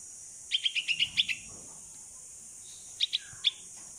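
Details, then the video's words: Sixteen-day-old bulbul chick (Pulangga), saved from a cat and raised by hand, calls its mother during flight practice outdoors. A string of seven quick chirps is followed by three more spaced-out ones, with steady high background hiss. "Baby Bulbul Bird (Pulangga) Calling Mom While Practicing To Fly in the Open"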